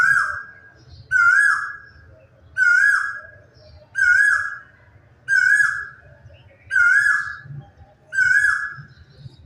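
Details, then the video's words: In the quiet of morning, a quail repeats a steady whistled note seven times, each held briefly then falling away, at an even pace of about one every one and a half seconds, with a soft low rumble beneath. "Subah ki khamoshi Tanhai or quail ka ye song"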